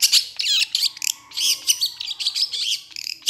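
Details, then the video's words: Excited Long-tailed shrike pours out a dense, continuous chatter of scratchy, warbling high notes with little pause between them. "Cendet Gacor Emosi"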